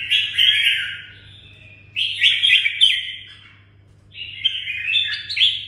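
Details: Caged red-whiskered bulbul from Đồng Nai, Vietnam, singing three bursts of rich, warbled, slurred phrases about two seconds apart, with brief pauses between them and a faint steady low hum underneath.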